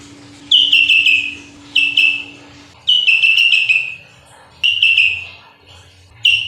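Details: Short bright phrases from a sooty-headed bulbul in full song, clipped warbled bursts with sharp attacks repeated about every one to two seconds, five phrases in all, over faint background hum.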